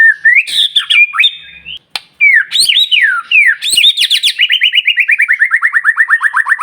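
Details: White-rumped shama (murai batu), a lively singer used to provoke other shamas into singing; loud clear whistles and slurred phrases, a brief gap, then a fast run of about twenty-five descending whistled notes repeated evenly, slowly dropping in pitch.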